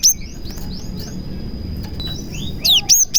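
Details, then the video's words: Cinereous tit with copied prenjak phrases, played to provoke other tits into singing; thin downslurred whistles and quick high chirps, ending in a few loud sharp notes over a faint steady high tone. "BURUNG GELATIK GACOR ISIAN PRENJAK • AMPUH MEMANCING BURUNG GELATIK LAIN AGAR CEPAT GACOR"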